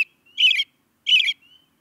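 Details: Two loud, rasping chirps from an American robin, each about a quarter-second long, separated by a short gap and trailed by a thin, faint whistle.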